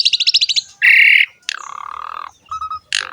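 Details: Asian pied starling, jalak suren, in loud gacor song used as masteran to coax young males and females or quiet birds into singing: rapid trilled chatter, a buzzy harsh burst, a sweeping downslurred whistle, short mid whistles, then a rasping note.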